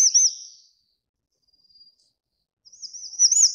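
Grey-chinned Minivet giving high, thin, sibilant calls with quick trilled inflections, one burst at the start and another after a brief silence.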